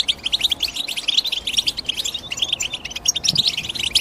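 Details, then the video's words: European goldfinch chirping briskly, a quick chain of high, clear tweets and little trills, evenly paced and bright throughout, with a soft low knock near the end. "The GOLDFINCH CHIRPING SOUND"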